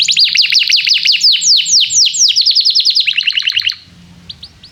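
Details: Canary song used as a tutor to stimulate young canaries to learn singing: fast repeated downward-sweeping whistled notes, about two per second at first, then quicker short trills before fading into quiet background hum.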